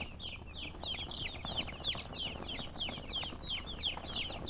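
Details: Colored chickens give clear, shrill peeps, each sliding sharply downward, repeated about three times a second in a fairly steady rhythm over a quiet low hum.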